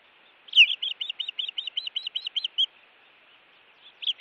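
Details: Osprey at its Montana nest on a live nest cam, calling in alarm during an intruder attack, evening of 16 June 2017: a rapid run of about eleven sharp, high whistled chirps over two seconds, then a brief pause and another chirp.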